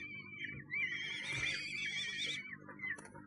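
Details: Common kestrel at a nest box in Sussex, 1 June 2011, recorded by a nest box camera: a drawn-out, wavering, whining call over a low background hum.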